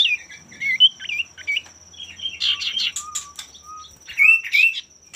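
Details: Male common iora in full song, meant to prompt rival males to sing: a jumble of short whistled and buzzy notes, a few low flat whistles, then loud rising slurs, over a continuous thin high-pitched tone.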